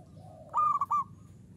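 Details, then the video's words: Local Indonesian zebra dove, uraa umum song style, singing actively: a soft lead-in note, then a clear three-part cooing phrase with short gaps. "SUARA PERKUTUT LOKAL URAA UMUM GACOR NGAYER"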